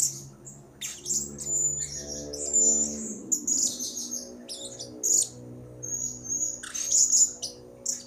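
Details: Blue-crowned hanging parrot calling actively, a lure recording: a dense run of sharp, very high shrill chirps and whistled notes, with low sustained musical tones underneath during the first three seconds.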